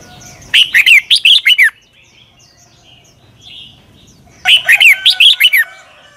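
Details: Thai Red-whiskered bulbul singing a clear-syllabled 'double' southern master song used to teach young birds: two matching phrases of about six fast, loud, warbled whistles, separated by roughly three seconds of near quiet with faint distant chirps.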